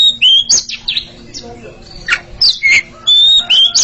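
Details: A duelling pair of Oriental magpie-robins, giving loud pure whistles, rising and falling slurs and a few rough notes, repeated in short irregular phrases.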